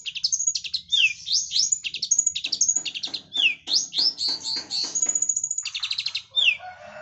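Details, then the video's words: Lovebird-style chattering by a long-tailed shrike: high upward and downward slurred squeaks mixed with harsh rapid chirp bursts and short buzzy trills, delivered nonstop. "cendet gacor suara Lovebird sambung kapas tembak"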